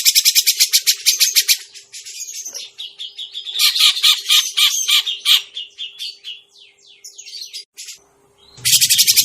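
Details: Grey-cheeked bulbul lure sound used for trapping birds: harsh, broadband chattering notes repeated rapidly, a softer run of varied squeaky notes in the middle, then a burst of chatter returning after a brief pause.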